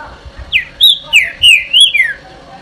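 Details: Green-winged saltator (trinca-ferro) in the "Eu Sou Terrível" song style: a short phrase of five loud, pure whistles swooping up and down, closely linked, with a quiet background.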